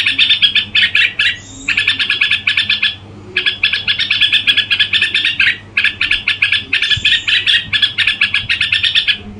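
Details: Caged red-whiskered bulbul singing vigorously: long runs of rapid, sharp repeated chirps in phrases lasting one to two seconds, separated by brief gaps, a low background hum throughout.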